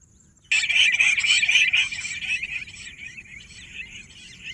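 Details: Bush quail, called Pahadi Bater, gives a sudden loud burst of harsh, chattering notes that run for about two seconds and then trail off into softer scratchy calls. A faint steady hiss of insects sits in the background.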